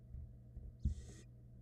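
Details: Barn owl nestling in a Florida camera nest box at feeding time, swallowing a rat; one harsh, breathy hiss lasting under half a second, preceded by a soft thump, with a low hum behind.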